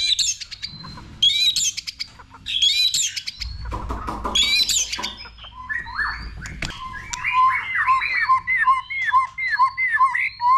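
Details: White-rumped shama in training, singing varied phrases: high rapid chattering bursts, a low rumble mid-clip, then loud clear whistles and a fast series of repeated downslurred notes, with steady background hum.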